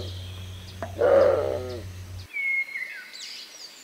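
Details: A single coarse, guttural roar from a Bare-throated tiger heron in Costa Rica, followed by a clear whistled note from another bird, over a low background hum.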